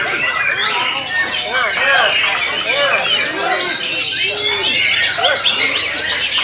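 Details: White-rumped shama singing ever more wildly: a dense, fast stream of whistled sweeps, trills and chirps packed between mid and high pitch, with overlapping chatter and voices in the background.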